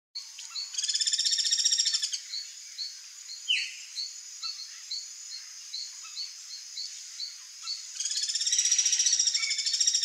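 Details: Ringed kingfisher (Megaceryle torquata): two loud, harsh rattling bursts of rapid, stacked pulses, one early and one at the end. Between them come soft chips repeated about twice a second over a steady high insect-like whine.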